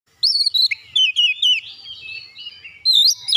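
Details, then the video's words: Oriental magpie-robin (kacer) provoked into agitated singing, unloading its repertoire of fill-in phrases: loud, rich whistled notes and rapid slurred trills in bursts, a brief quieter pause, then renewed high whistled phrases. "memancing emosi Kacer langsung panas emosi bongkar isian"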